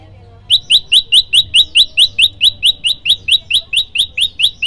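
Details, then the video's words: A prenjak lumut prinia delivers a rapid, insistent series of about nineteen sharp rising chirps, roughly four per second, in the loud 'tembakan' variation meant for training songbirds; a faint hum sits underneath. "prenjak lumut gacor suara tembakan keras"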